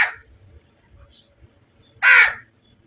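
A crow gives a harsh caw at the start and one loud, rasping caw near the end, with a faint high whistle from another bird between them.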